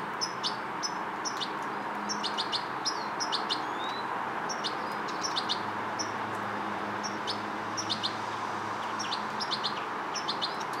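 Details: European goldfinch fledgling learning motor control: scattered high, thin chirps in loose bunches separated by short gaps, with a faint low hum and steady hiss behind.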